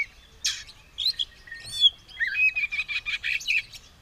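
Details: White-rumped shama said to be ready to fight, tail open, singing: scratchy bursts, a few clear whistled slurs, then a rapid series of buzzy chattering notes repeated about five times a second.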